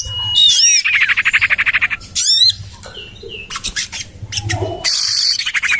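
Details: Common iora lure recording for drawing in birds, tested in a garden by a house: a brief whistle sliding down into a fast buzzy chattering series, then scattered sharp notes and another chatter run.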